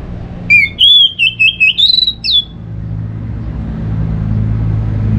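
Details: Orange-headed thrush phrase used to prompt other birds to sing in the morning: a quick run of clear whistled notes wavering up and down, ending in a higher slurred note, then steady low hum.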